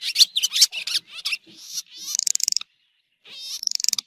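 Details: Swallow calls recorded in 2023, opening with loud, sharp chirps, then a short rasping note and quick stuttering trills, a brief silence, and another fast buzzy trill.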